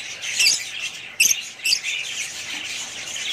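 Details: Family budgerigars give a few sharp, scratchy squawks over softer continuous twittering from the rest of the group.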